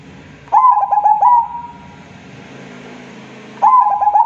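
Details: A local zebra dove singing vigorously gives two phrases of quick stuttering coos, each stretching into a drawn-out mellow note. Steady low background noise and a rumbling hum fill the gap between the phrases.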